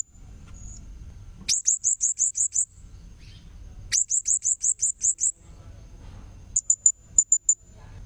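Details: High, sharp lure calls of a blue-crowned hanging parrot come in two even runs of about eight notes each, separated by quiet, then end in a looser cluster of brief chips.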